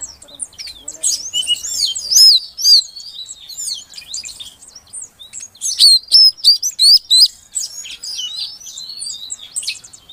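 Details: A female Oriental magpie-robin calls to coax a silent male into singing; dense bursts of quick high chirps and warbled slurs, two loud clusters of sharp repeated notes separated by softer twittering.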